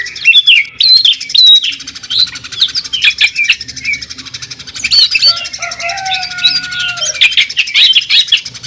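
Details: Greater green leafbird singing in the jamtrok style with tembakan bursts and a sewing-machine sound: dense, fast, high chirps and twitters, with a pure, lower, sustained whistle sliding through the middle.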